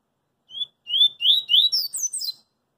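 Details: Street-singing double-collared seedeater, coringa style: one short whistle, then three loud upslurred whistles and a rapid flourish of high, bending chirps ending abruptly after about two seconds of song.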